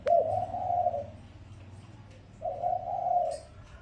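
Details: Lure call of a spotted dove: two drawn-out low coo phrases about a second long each, split by over a second of quiet, with a faint low hum underneath.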